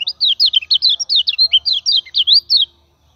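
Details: Common iora song used as a lure for training other birds, the bird singing steadily: a fast run of about twenty bright downslurred whistled notes, evenly spaced, over roughly two and a half seconds, then silence.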